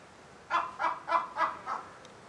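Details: A crow that has flown into a Humboldt penguin enclosure calls repeatedly at the penguins: five harsh, hoarse caws in quick succession, about one every quarter second, with a quiet background.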